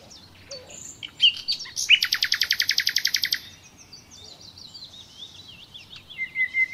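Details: Nightingale singing: sharp whistled notes, then a loud, rapid trill of about fifteen even pulses lasting a second and a half, followed by quieter warbled zigzag phrases and a thin whistle. A faint steady background hum runs throughout.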